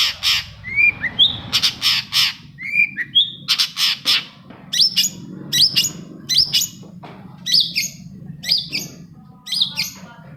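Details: Long-tailed shrike singing to provoke other shrikes: rasping broadband bursts and rising whistles open the passage, then spaced sharp chirps follow roughly every second over a low background murmur.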